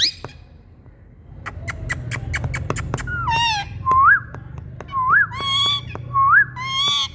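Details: Rose-ringed parakeets, called Indian green parrots, giving varied calls: a series of crisp clicks, then rich harmonic squawks and short whistled notes sweeping upward, repeated about once a second.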